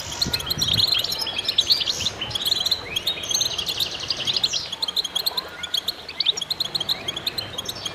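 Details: Concert of many goldfinches: busy high twittering with rising and falling slurred notes, a few dull low thumps near the start, and continuous overlapping chirps throughout.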